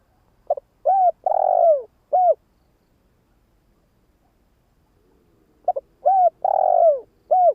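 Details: Decoy spotted dove giving two cooing phrases separated by a few seconds of silence, each built from a clipped opening note, a mellow coo, a drawn-out falling burry coo and a short end note.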